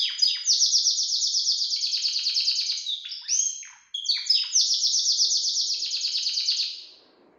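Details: A Belgian canary singing freely outside its cage gives long, rapid rolling trills, high and bright, broken midway by a few quick whistled slurs before another sustained trill.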